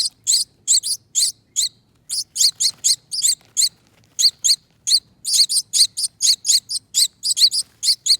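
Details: Baby finches, a rescued pair hatched on a front door wreath, calling while being fed: rapid bursts of high, sharp chirps, often doubled or tripled, pausing briefly before resuming, little else heard.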